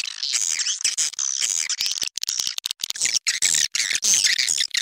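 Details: Swiftlets in a lure recording for swiftlet farmers; harsh twittering and squeaky chirps, somewhat coarser and lower in places, with clicks and brief pauses through the middle.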